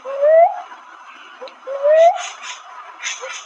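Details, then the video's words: Cuckoo-dove, known locally as manok manok, giving two clear rising whistled notes about one and a half seconds apart, each sliding upward and ending abruptly, with faint hissy background. "cockoo-dove or manok manok sounds"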